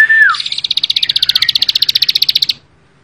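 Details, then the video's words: A short, clear, falling whistle is followed by a bar-winged prinia's fast 'bren' rattle of high, sharp, evenly repeated chips lasting about two seconds. "ciblek sawah gacor full bren rapat"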